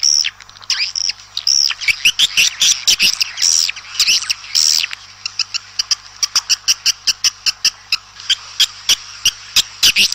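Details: Swiftlets calling the flock outdoors, with high squeaky chirps and twitters at first, then a long series of crisp dry clicks at a quick, fairly even pace, over a faint low hum.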